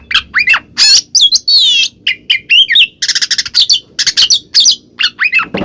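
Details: Oriental magpie-robin singing in the ngeplong style, used to coax a silent bird into answering: rapid varied phrases of sharp whistles, upslurred notes and buzzy rasping bursts, with brief pauses between figures.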